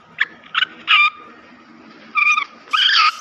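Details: Black francolin call meant to quickly excite the birds: five short harsh, grating bursts spaced irregularly over three seconds, the last two longer and buzzier, over a quiet background.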